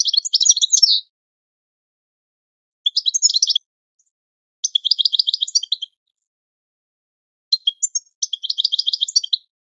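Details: European goldfinch training song for teaching captive birds: four bursts of rapid, twittering high notes with buzzy trills, separated by pauses of one to two seconds, on a completely silent background.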